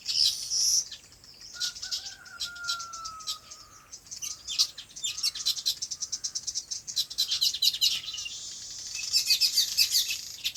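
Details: Birds chirping on a farm in their habitat: long stretch of high, rapid twittering and trills, with a drawn-out descending whistle early on and a few quieter pauses.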